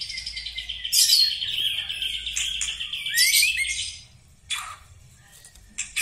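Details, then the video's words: Black-legged white-rumped shama showing its characteristic singing style: a long, steady whistled note with a warbling edge, broken by sharp rising and falling whistles, then short bright phrases after a brief pause. "Ciri khas gaya dan Suara murai Batu kaki hitam istimewa"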